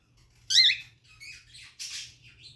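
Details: A cockatiel inside its nest during nesting gives a shrill, warbling screech, then a few softer raspy notes and a harsh hissing squawk over about two seconds, with a low indoor hum underneath.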